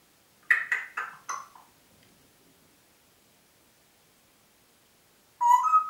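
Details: Congo grey parrot kept indoors in Diebach near Hammelburg, Germany, April 2012: four quick descending whistled chirps in a row, a pause, then a clear wavering whistle at the end.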